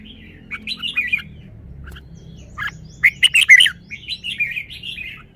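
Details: Red-whiskered bulbul, a kept songbird performing its song style: soft warbled phrases, then a loud cluster of sharp chirping notes and further mellow whistled phrases over faint low background hum.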